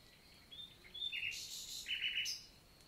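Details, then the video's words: Nightingale (Luscinia megarhynchos) in daytime morning song, Célé valley forest, Lot, south of France, June 2023: thin soft whistles build into two loud bursts of harsh, rich notes, with a faint constant high tone behind. "NIGHTINGALE MORNING SONG"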